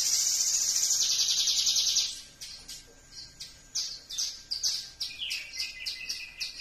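Horsfield's bush lark sings a dense, buzzy high trill for two seconds, then a quick run of sharp chirps and falling whistles, about three notes a second.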